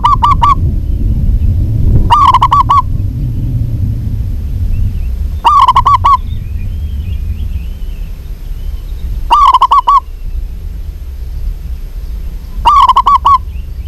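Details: Local zebra dove in full, lively song. Five phrases of quick staccato cooing notes repeat about every three to four seconds over a steady low rumble.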